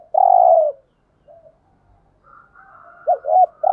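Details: Decoy spotted dove urging on wild doves with its coo: one long throaty coo, a quiet stretch, then a faint higher tone under a quick double note and the start of another coo.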